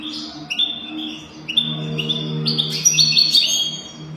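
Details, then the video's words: Tutoring song of a European goldfinch for young birds learning to sing. Quick tinkling, twittering notes build into a busier, high-pitched jumble toward the end, over a steady low hum. "تغريد رهيب طائر الحسون حفاضة لتعليم طيور الحسون بدون أخطاء"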